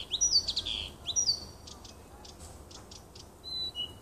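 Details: Song of a nightingale in a small wood near a house, 30 June 2015: loud swooping whistled notes open the phrase, followed by soft clicks and a pair of clear level whistles.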